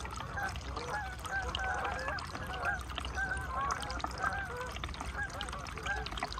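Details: Canada geese massed on a calm lake in Maine during the November 2021 migration: layered honks from many birds, somewhat more distant and softer, blending into a continuous chorus.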